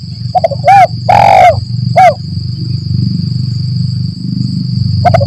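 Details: Forest trapping lure of a spotted dove, lambung Kuk 1 Mersik style: a single phrase of short stuttered notes, arched coos and a long loud coo, then steady low rumble, with a new phrase starting at the end.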